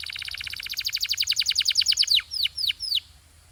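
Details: Canary singing in pure Belgian style: a loud rapid rolling trill of stacked descending notes about four per second, slowing into three separate downslurred whistles before stopping.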